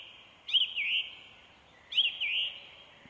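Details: Two high, thin Canada goose gosling peeps from a goose with young near Hilvarenbeek, Netherlands, in 2022. Each is a quick rising-and-falling whistle, about a second and a half apart, over a steady background hiss.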